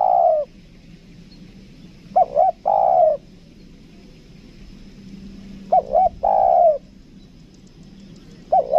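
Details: Captive spotted dove kept as a lure bird, of the two-note 'kuk dua' style, Lombok: low mellow coos, each phrase two short clipped notes then a long falling coo, repeated about every three seconds with pauses between.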